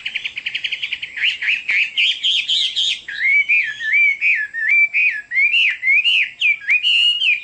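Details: Chinese hwamei in loud, rich song: a fast trill of repeated notes, then a string of rolling, looping whistled phrases repeated about once per second.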